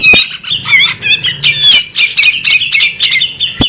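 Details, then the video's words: Female bearded magpie robin delivers a short burst of harsh, buzzy chattering mixed with wavering whistled notes, in quick pulses about every quarter second. "the alluring sound of a female bearded magpie robin"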